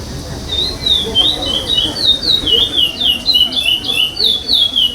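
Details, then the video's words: Contest singing by a chestnut-bellied seed finch, curió pardo style without repeated phrases, state stage 2021; fluid whistled notes bending up and down in a fast continuous sequence, murmuring people in the background. "CURIÓ PARDO SEM REPETIÇÃO"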